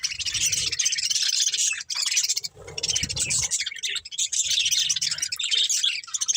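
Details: Nearly continuous chirping and warbling from a breeding pair of budgerigars, high and scratchy, with a faint low rumble underneath.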